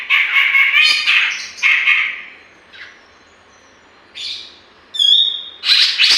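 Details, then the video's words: Energetic grey-cheeked bulbul song, used to lure or stimulate other birds: loud, rich, warbled phrases, a pause, then a sharp whistled note and further bright, rasping outbursts. "BURUNG CUCAK JENGGOT GACOR COCOK UNTUK PANCINGAN"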